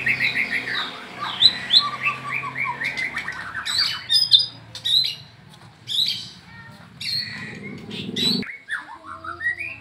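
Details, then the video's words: Caged white-rumped shamas, one of the Medan type, singing against each other in the afternoon as training; rapid series of rising whistled notes and chatter, then scattered sharp higher notes and bursts, with a soft low hum underneath. "coba nge CAS MB BALAK 8 dgn MB Medan di sore HARI"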